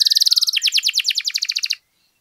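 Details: Canary singing, used as a lure to rouse other canaries to sing, with a fast, even run of bright chirped notes, about nine per second, that drops slightly in pitch halfway and then stops abruptly.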